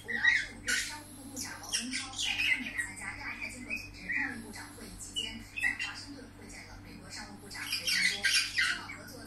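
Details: Pet budgerigar singing indoors: a busy, chattering warble of short chirps, squeaks and scratchy notes in quick irregular bursts, with some lower murmuring underneath.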